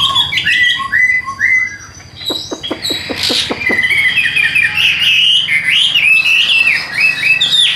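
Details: Chinese hwamei in a cage singing whistled, looping phrases, interrupted by a short series of sharp clicks, then resuming with loud, rolling, varied whistles.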